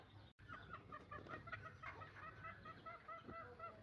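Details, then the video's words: A tame pair of Javan green junglefowl, 11 months old and hatched from eggs, give a steady run of short, mid-pitched clucks and chattering notes, several a second, over a faint low background hum. "terapi ayam hutan jinak umbaran"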